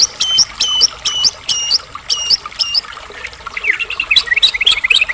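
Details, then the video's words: White-rumped shama from Medan singing to provoke rival shamas; evenly spaced bright stacked chirps about every half second, followed by a quick jumble of twittering high notes. "murai batu gacor AMPUH buat PANCINGAN murai agar cepat bunyi JADIKAN murai batu gacor EMOSI NYAUT"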